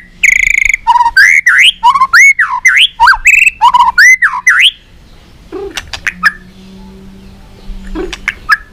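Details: Competitively singing white-rumped shama flicking its tail, pouring out loud swooping whistles rising and falling in quick succession, followed by quieter scattered clicks and a faint low hum.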